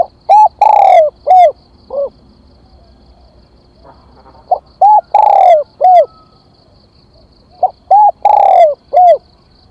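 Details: Decoy spotted dove calling to lure others: three repeated cooing phrases, each a short note, a rounded coo, a long descending coo and trailing shorter coos, every few seconds in a quiet setting.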